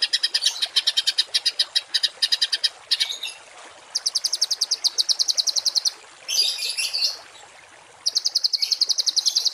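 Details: Songbird giving harsh 'tembakan kasar' masteran song used to train cage and contest birds: rapid rasping pulse bursts in runs of several seconds, separated by short pauses, with a brief noisier burst midway.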